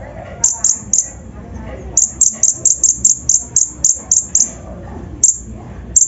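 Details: Brown-throated sunbird (konin) giving a provoking lure song in rough 'isian' style: evenly spaced, very high, sharp whistled notes repeated several times a second with short gaps, over faint low room noise.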